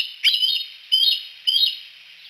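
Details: Bald eagles at Decorah, three together on a Y-shaped perch at sunset, utter three high, squealing chirps spaced about half a second apart, each trailing off into a softer tail.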